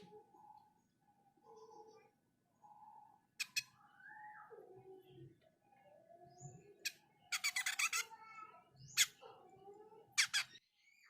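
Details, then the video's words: Jenggot mini bird in full song: soft mid-pitched whistled phrases with arched and downward-sliding notes, broken by loud sharp clicking bursts around the middle and near the end. "Jenggot mini gacor"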